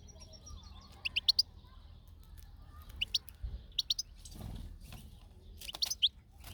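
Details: European goldfinch outdoors, giving short high twittering chirps in small clusters around one, three, four and six seconds, over a faint low background rumble.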